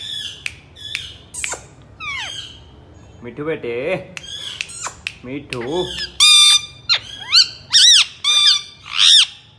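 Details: Rose-ringed parakeet, a talking pet parrot repeating speech indoors: harsh squawks and rising whistled notes, then a run of speech-like syllables, ending in loud repeated screeches.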